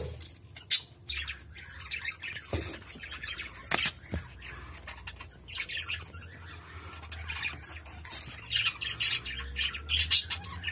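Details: Cockatiels at their nest, where the female lays an egg and the male turns the eggs, give short, harsh squawks and scratchy chirps in scattered bursts, with soft rustling between.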